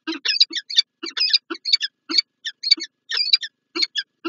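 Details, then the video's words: Peregrine falcon pair meeting in the morning on 19 January 2024 at the PGE site in Lublin, Poland; harsh, rasping chattering notes in rapid bursts, each with a low buzzy base and bright upper tones, with short gaps between. "Sokół wędrowny PGE Lublin(PL) - Czart & Wrotka, poranne spotkanie"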